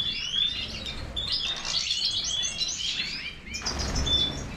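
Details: Major-type goldfinch singing rapid high twittering phrases with clear whistled notes, over a soft background hiss.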